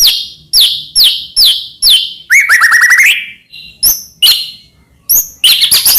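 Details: White-rumped shama (murai batu) singing loudly with a rich repertoire, used as a master song to train and provoke other shamas. Loud downslurred whistles repeated about every half second, then a fast buzzy rattling run, a short pause, and sharp high chips.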